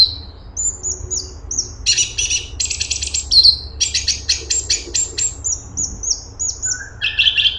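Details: Cucak cungkok bulbul in busy song: thin high whistles interleaved with broad, buzzy rattling bursts and quick chirps, ending on a short trilled phrase.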